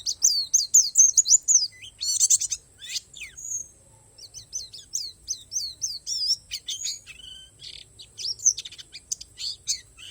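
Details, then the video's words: Bornean 'pleci palas' white-eye with an 'isian alam' nature-filled song: fast runs of thin, high chirps and short trills, with a brief lull near the middle before the chattering resumes. "SUARA PLECI PALAS BORNEO"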